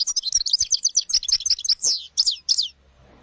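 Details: European goldfinch, a wild field singer with a clean "pico de oro" song used to tutor young birds, delivering a quick run of about a dozen high, chirpy, liquid notes. The notes are sharp and closely spaced, then stop abruptly into near silence.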